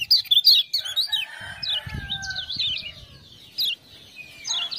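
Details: Lemon-bellied white-eye (kecial kuning) from Lombok, singing vigorously after being prompted by 'ciak-ciak' sounds. High, quick zigzag whistled notes come in bursts, loudest at the start. A sharp, rapid ticking burst and a lower, drawn-out whistle are heard alongside.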